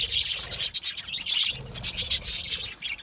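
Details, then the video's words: Budgerigars chirping in a dense, continuous chatter of high, bright tweets and short squawky notes that overlap throughout, with no pauses and faint low rumble beneath. "Budgie chirping sounds"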